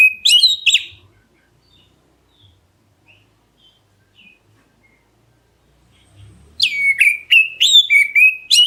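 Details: Oriental magpie-robin of the black-breasted form calling so other birds answer back. A short pair of whistled swoops opens the recording, followed by near silence with faint low rustling. A longer rapid run of downslurred whistles follows near the end.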